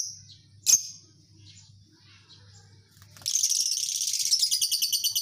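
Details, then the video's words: Lovebirds kept as a colony: one loud shrill chirp, a quiet pause, then a fast continuous ngekek-like chatter of rapid high pulses building for the last two seconds, with a low hum underneath. "Suara Burung Lovebird Koloni, Membuat burung jadi ngekek Panjang Gacor"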